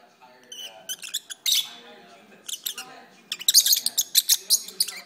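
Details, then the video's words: Lovebirds singing at length indoors: scattered squeaky chirps and a raspy burst, then a quickening series of sharp high notes, with soft low voice-like sounds underneath. "my Lovebirds are singing"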